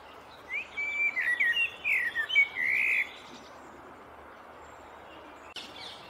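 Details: A male Eurasian blackbird preening on a branch pauses to sing one mellow, fluty, warbling phrase lasting about two and a half seconds, then falls quiet over a steady outdoor hiss.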